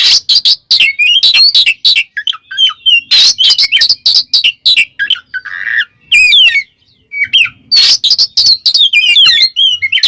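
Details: Oriental magpie-robin in ngeplong song calling out a rival, a dense run of loud harsh chips mixed with whistled sweeps and a brief buzzy rasp, delivered in rapid bursts with short pauses.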